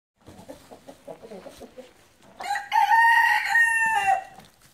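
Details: Gold Brahma chicken: a series of low, rapid clucks, then a loud drawn-out crow held for about two seconds with strong harmonics before fading.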